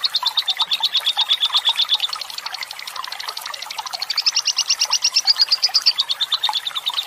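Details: Fighter-type lovebird giving a long 'ngekek panjang' chatter, used as night-time tutor audio to prompt other lovebirds to sing: a rapid, steady string of sharp high pulses about three per second, running unbroken, over soft gurgling water.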